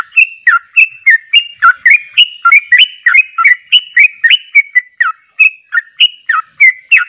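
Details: Rapid ropelan song of a sooty-headed bulbul, known locally as trucuk. Bright whistled notes, some bending downward and some upward, tumble out in a steady fast run of roughly three to four notes a second.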